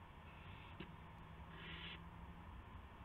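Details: Owl arriving with a gopher for another owl, 8:00 PM, March 18, 2016; one breathy rasping screech about half a second long, with a faint click before it and a low hum throughout.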